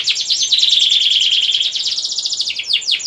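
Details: Canary song in the 'ngerek' rolling style, played to stimulate mating in hens and young males: an even, fast buzzy trill held for over a second, ending in a few sharp downward sweeps.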